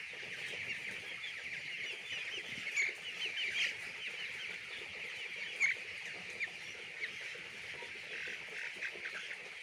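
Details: Chicks on a poultry farm peep busily, high short notes tumbling over one another, with occasional louder chirps rising above the flock's constant chatter.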